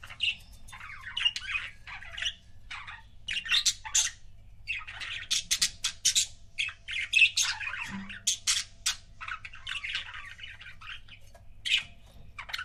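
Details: Pet budgie pair produces nonstop chattering: rapid squeaky chirps mixed with harsh buzzy squawks, rising and falling in short bursts throughout.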